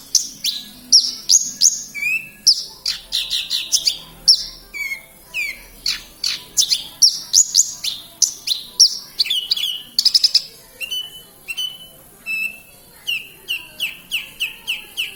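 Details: Horsfield's bush lark from Kediri, Indonesia, in full 'gacor' song: a long run of sharp, high down-slurred whistles and buzzy flourishes, about two notes per second, some notes falling into lower steady tones.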